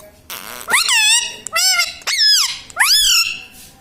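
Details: Pet parrot talking, said to say mummy, papa and radhe: four loud, rising-then-falling, speech-like harmonic syllables delivered in quick succession, filling the short recording.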